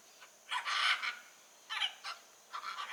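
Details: Blue-and-yellow macaw in the wild giving a long, harsh, grating screech followed by two shorter rasping squawks.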